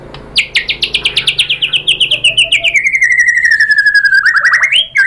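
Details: White-rumped shama song used as a lure to provoke other shamas to sing: fast series of repeated whistled notes, about four per second, slowly descending in pitch, ending in a rising flourish.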